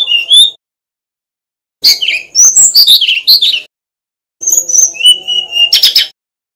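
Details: Male Brown-chested jungle flycatcher from Bali used as a master bird to train others. Three separate whistled phrases rise and fall quickly, each about one to two seconds long and split by short quiet gaps, with some phrases ending in buzzy high notes.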